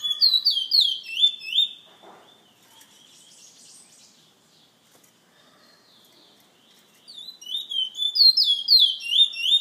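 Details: San Fernando bird club bullfinch delivering quick high sliding whistles that open and close the passage, separated by a quiet gap of several seconds with faint rustling.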